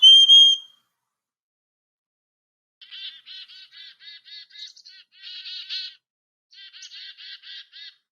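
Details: Black-capped chickadees in winter, moved up to the treetops and calling to each other with the chickadee-dee-dee alarm call, where more dee notes signal a higher threat such as a nearby predator. A clear whistled note is followed by three bursts of harsh, buzzy dee notes.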